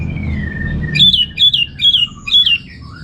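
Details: Orange-headed thrush, a kept songbird from northern Bali, singing a series of four loud whistled phrases, each a bright rising-and-falling flourish about half a second apart, after a soft descending whistle; low room hum beneath.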